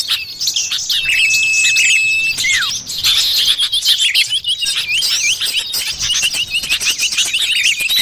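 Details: Common iora calling in the wild, a lure sound for attracting birds: one long pure whistle sliding down at its end, then continuous fast high chirping and warbling from a crowded bird chorus.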